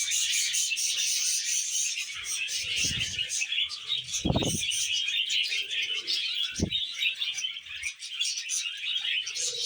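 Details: Happy budgerigars feeding on vegetables chatter without pause, a dense mix of high chirps and buzzy warbles, interrupted by three brief low thuds.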